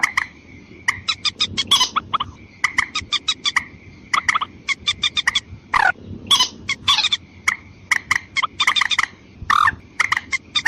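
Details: White-breasted waterhen lure sound aimed at both sexes, made of long runs of quick, harsh croaking notes with occasional louder, deeper squawks, and a constant faint whine behind them.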